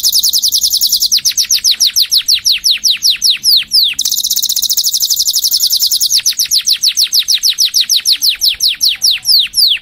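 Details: Canary singing loud, clean phrases: fast buzzy rolls of very high notes alternating with runs of steeply falling whistled sweeps repeated several times a second.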